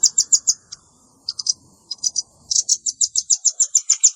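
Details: Velvet-fronted nuthatch calls mixed with juvenile voices, used to lure birds: a few quick high chips, scattered pairs, then a sustained rapid series of shrill notes to the end.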